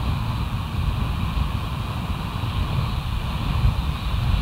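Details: Low wind and engine-like rumble fills an outdoor scene with no calls audible.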